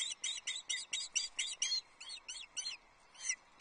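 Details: Female osprey at a Loch Arkaig nest on 27 April, calling for fish while the male brings a trout. Shrill, sharp whistled notes come in a fast series, then slow into spaced squeaks toward the end.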